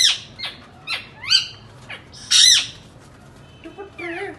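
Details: Indian ringneck parakeet at home, talking and making sounds: sharp descending squeaks spaced about half a second apart, a loud broad screech, then soft low nasal notes at the end.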